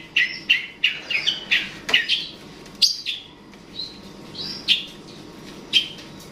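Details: Long-tailed shrike provoking an opponent: a quick burst of sharp chirps, then spaced single whistled and squeaky notes with longer gaps between them, clear over faint background hiss.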